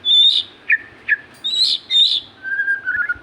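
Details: Lively magpie-robin song with high sweet whistled notes alternating with lower downslurred chips, ending in a steady flat whistled trill.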